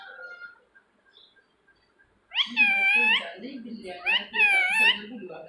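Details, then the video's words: Pet talking parrot indoors, calling its owner by name and asking where they are; after two seconds of near silence, two loud, speech-like voiced phrases follow, each wavering and slightly rising. "मिट्ठू मिट्ठू बोलने वाला तोता.. Talking parrot"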